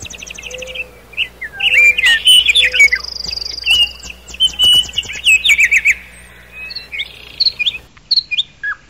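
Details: Nightingale singing at night in a forest, in a duet with a cuckoo: rich varied phrases of whistles, buzzy trills and rapid repeated notes, with soft low hooting notes repeated beneath them.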